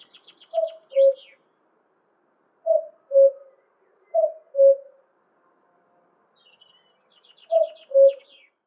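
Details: A male common cuckoo in the UK in spring gives four clear two-note 'cu-coo' calls, each falling from higher to lower, at uneven gaps of one to three seconds. A small bird's high, rattling trills are heard faintly.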